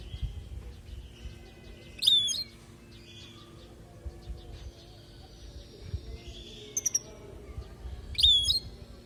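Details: European goldfinch from Palestine, recorded as a teaching song for young goldfinches. Three short bursts of high, bright, twittering notes with quick upward flicks, separated by pauses, over a steady low hum and rumbling background noise.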